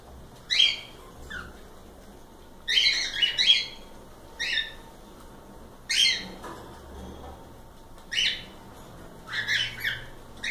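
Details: Several cockatiels trading scratchy whistled calls and quick double chirps at uneven intervals, some slurring downward, against faint steady hum.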